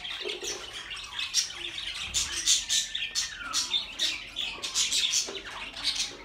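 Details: Budgerigars kept as pets, sounds for lonely birds: busy overlapping chatter of scratchy chirps and squawks, dense bursts with little pause, several birds calling over one another.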